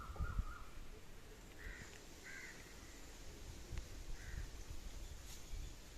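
Indian peafowl gives short, nasal, honking calls in a loose series over about three seconds, set against steady low rumbling wind or handling noise.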